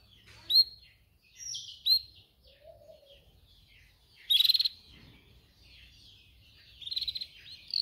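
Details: Canary song for training young canaries to sing: scattered clear whistles and short upslurred notes, a low warble, then two loud buzzy rattling bursts.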